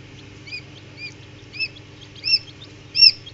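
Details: Newly hatched Common Quail (Coturnix coturnix) chicks in an incubator give five thin, high, arched peeps about every half second, growing louder, over a low steady hum.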